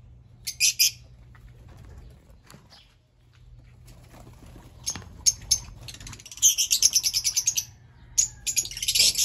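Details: Fischer's lovebird: an early burst of shrill chirping, then sporadic clicks and short notes, then a fast run of repeated squeaky chirps with a final loud outburst, over a low background hum.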